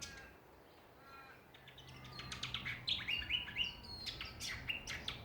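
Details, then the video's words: Songbirds in a Ballajura backyard, Western Australia: quiet start, then from about two seconds a busy jumble of high chirps, ticks and short whistles, dense and irregular, with a low hum underneath. "Australian songbirds in backyard."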